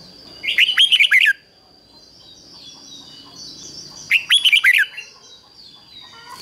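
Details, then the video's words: Decoy red-whiskered bulbul singing the 'ché' style to lure wild birds to fight: two near-identical phrases of rapid, rolling whistled notes about three seconds apart, with a faint steady high tone. "Chào mào mồi HÓT CHÉ GỌI BỔI CĂNG ĐÉT"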